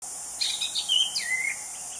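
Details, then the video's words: Wild anis cendana thrush singing a high, quick twittering phrase of slurred, falling notes over a steady high hiss of insects. "Kicau Anis Cendana Alam Liar"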